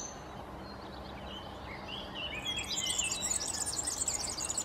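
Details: European serin (Serinus serinus): faint thin notes at first, then from about halfway a loud, dense, very high jangling twitter that runs to the end over low background hiss.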